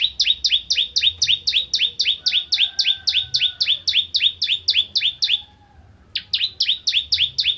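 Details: Bar-winged prinia (ciblek kristal) singing actively in the 'nembak ngentrok' style: a fast, steady train of sharp, high chirps, about four per second, breaking off briefly near the sixth second, then resuming, over a faint low hum.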